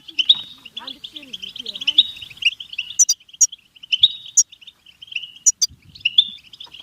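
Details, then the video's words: Goldfinch song, rapid liquid twitters running continuously, sprinkled with sharp high ticks, while a faint low voice or other murmuring sound shows early on. "Best beautiful stimulation of européen goldfinch"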